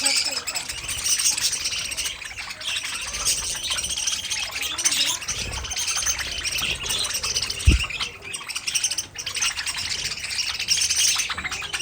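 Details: Colony of budgerigars in an aviary giving steady high chirping and warbling chatter from many birds at once, with a sharp low knock partway through and scattered soft low sounds.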